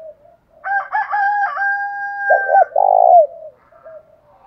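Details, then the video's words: Spotted dove calls, male and female, used as a lure to provoke fighting; a long steady two-toned call, then a loud burred coo of two short notes and a long note, then soft short coos. "chim cu gáy mồi giọng thổ đồng thúc đấu rút bổi nghe rất nhanh về"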